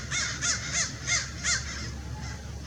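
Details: Adult Lewis's woodpecker at Irvine Regional Park, Orange, California, on December 6, 2021, giving a quick run of about five harsh, rasping, crow-like notes roughly three per second, with a low rumble of background noise.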